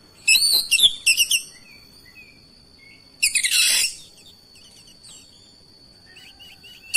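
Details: Oriental magpie-robin singing insistently in response to another magpie-robin, displaying its repertoire: short loud bursts of rich, harsh notes, a long raspy phrase, and faint soft twitters in the pauses over a steady high tone.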